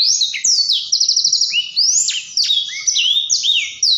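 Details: Blackthroat delivering a lively gacor ngerol song of clear, high whistled notes, some sliding down, some rising. A short rapid trill run appears early, and the singing continues without stopping.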